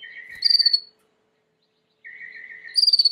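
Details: Timbrado canary singing, used as training song: a low buzzy rolling phrase with a brighter metallic burst, a second-long pause, then the roll resumes and rises into shrill ringing notes.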